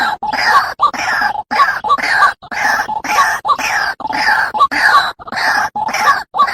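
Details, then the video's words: A White-breasted waterhen lure sound: harsh, nasal croaks in rapid succession, nearly two per second, steady and loud with short gaps between. "SUARA PIKAT RUAK RUAK"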